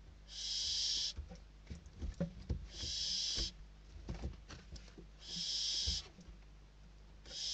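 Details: Nest interior in Spain where barn owl nestlings fight over a food delivery; drawn-out noisy hissing screams alternate with scratching, shuffling movement and soft thuds from the chicks.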